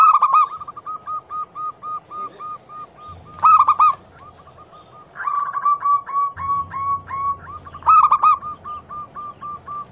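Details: Local zebra dove, a female calling to males, serving as a lure for doves that have stopped singing: long runs of quick, regular coos broken by three loud, stuttering outbursts; a soft low drone underneath.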